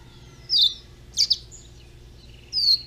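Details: Juvenile double-collared seedeater from a breeder: high thin downslurred whistles and a couple of sharp clipped notes spaced across a quiet room.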